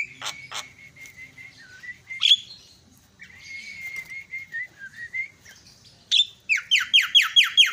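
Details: Myna lure call meant to provoke quiet birds into calling: a series of clear whistled notes with a loud harsh note between them, ending in a rapid run of sharp down-slurred squeaky notes.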